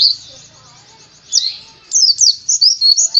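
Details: Short burst of white-eye (pleci) song: a faint high trill, then loud, sharp, slurred chirps in quick succession, with a low hum in the background.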